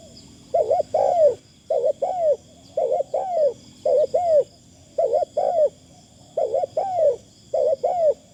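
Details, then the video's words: A spotted dove used for decoy calling repeats paired arched coos at an even rhythm, about one pair per second. The style is fine and light, over a faint steady high hum. "ต่อนกเขาใหญ่ เสียงดีมากคารมบางๆฟังแล้วเพลิน"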